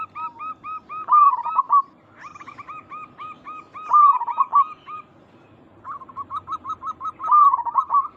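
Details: A local zebra dove sings to make other zebra doves answer: runs of short, staccato notes alternate with brief rolling, quavering coos, in three bursts separated by quieter pauses.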